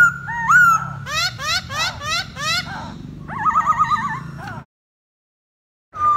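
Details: Masked laughingthrush in captivity, singing and dancing to attract a female: looping whistled notes, then a quick series of five harsh buzzy rising strokes, a wavering trilled phrase, a pause and a final whistle.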